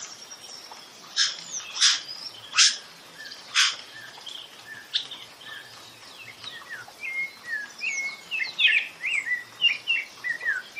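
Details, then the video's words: Rufous-bellied thrush, common in Brazil's Northeast, singing: a few loud sharp clicks or chips early on, then a run of quick warbled, slurred whistled notes later; faint background hiss. "SABIÁ LARANJEIRA CANTANDO MUITO - MARAVILHOSO CANTO DE SABIÁ (Turdus Rufiventris)"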